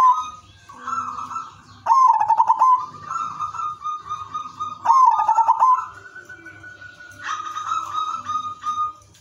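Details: An udanmas silver zebra dove sings a melodious prompting song meant to start other doves singing. Rapid pulsed cooing phrases come roughly three seconds apart, surrounded by a chorus of longer, steadier coos from other doves.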